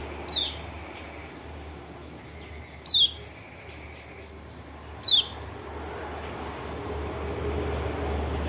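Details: White-eye (pleci lombok, kecial kuning) call used as a lure to stir a reluctant bird into singing: three sharp, high descending chirps spaced about two to three seconds apart over a low steady hum.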